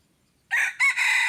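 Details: Red junglefowl crowing, used as a decoy while luring wild junglefowl, recorded 10 March 2022: after half a second of quiet, a loud, harsh crow rises in, dips briefly, then swells into a strained sustained note that is cut off.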